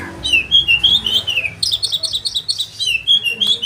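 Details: Oriental magpie-robin singing for caged-bird training in sharp rolling style: a wavering whistled phrase, then rapid repeated chatter notes and more whistles.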